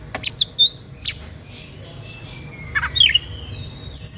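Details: Kacer or Oriental magpie-robin singing to provoke rivals into song; scattered sharp clicks and high whistles, a long thin falling whistle, and a final squeaky flourish after a quiet spell.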